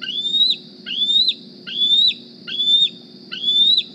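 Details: Hungry young bald eagle D36 at the Decorah nest, carrying a GPS transmitter, squees for food in the morning: five loud, thin whistles that rise gradually and snap downward at the end, evenly spaced under a low steady hum.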